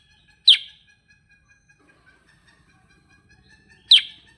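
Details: Sooty-headed bulbul (kutilang sutra) in lively 'gacor ngerol' singing form: two sharp, loud, downward chip notes about three and a half seconds apart, with faint steady high tones humming in the quiet background.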